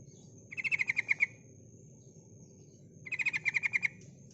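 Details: Female sooty-headed bulbul calling to lure males: two bright bursts of rapid, bubbly repeated notes, each lasting under a second, separated by a pause, over a steady low hum and a constant high thin tone.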